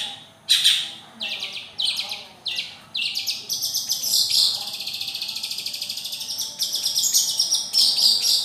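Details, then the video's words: Long-tailed shrike singing a long high song of bursts that blend into a continuous buzzy, rattling trill, with scattered sharp chirps and a faint low hum beneath. "Burung centet/pentet bersuara emas"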